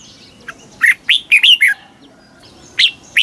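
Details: Red-whiskered bulbul song in the southern master style, played to excite caged birds and teach young birds: bright, liquid whistled phrases of quick rising and falling notes in a burst, a pause, then two more sharp notes.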